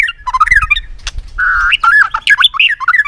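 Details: Harsh, squawky competitive song of a white-rumped shama: clicks break up a dense stream of grating and whistled notes, including a steady held tone and rapid jumping phrases.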